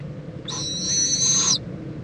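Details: Mother owl with her owlet during a preening visit at 11:45 AM on February 26, 2014, Indiantown, Florida; a single shrill, strained whistle held for about a second, ending in a slight downward slur, over faint low background hum.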